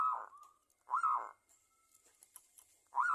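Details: Local zebra dove lure song meant to set other doves singing: three strong, ringing cooing phrases about a second apart, the first trailing into a held tone, with brief soft clicks between.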